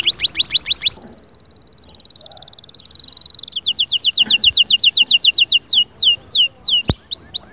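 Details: Singing canary, meant to encourage silent canaries to sing. A fast rattling trill gives way to a long, even buzzy note, then a rapid chattering roll and a few sweeping downslurred whistles.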